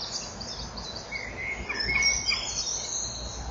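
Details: Male common kingfisher calling loudly as it lands on the front perch at the nest burrow. A juvenile sits nearby. Nest-wall camera, 05:41, 6 June 2014. Short, thin, high calls rise over steady background hiss.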